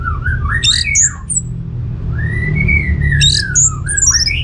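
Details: Orange-headed thrush song played to draw answers from other birds: varied, squeaky, swooping phrases, a long arching whistle, then more quick high notes and a fast trill, with a steady low hum.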